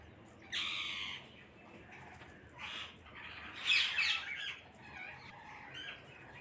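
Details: Flock of parrots calling: a long loud screech opens, followed by scattered rasping squawks and a sharp peak of calls around four seconds.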